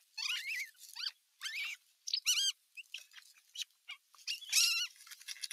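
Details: Older osprey chicks scuffling with each other at nest #1, 15 June 2023, an adult looking on nearby; bursts of shrill, harmonic squeals that rise and fall, tumbling over each other in quick irregular runs.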